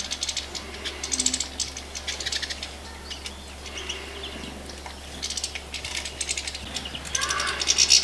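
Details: European goldfinch (Carduelis carduelis parva) sings bright, tinkling twitters in quick bursts of a second or so, with short pauses between phrases, over a low steady hum.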